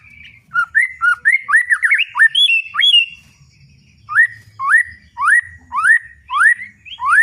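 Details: Loud 'ngeplong' song of a white-rumped shama (murai batu): quick looping whistles, then after a pause a series of rising whistled notes repeated about every half second.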